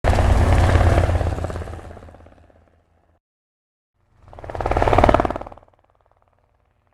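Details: Two swelling and fading roars of passing engines with a rapid low rattling pulse, separated by a stretch of silence, and no animal voice.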